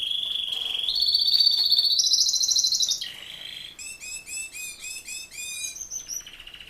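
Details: Male Raza Española canary, a breed not bred for song, sings a sustained roll that rises in steps and grows louder, then switches to a fast series of pulsed, chirping notes.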